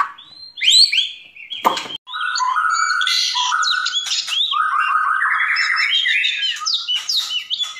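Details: White-rumped shama in full, vigorous (gacor) song: rich mix of rising and falling whistles, rapid trills and harsh buzzy notes flowing almost continuously, with one loud noisy burst early on.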